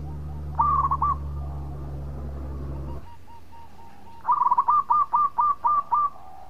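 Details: A local zebra dove sings soft, rolling coos, ending in a run of evenly spaced bubbling notes, used as a lure call.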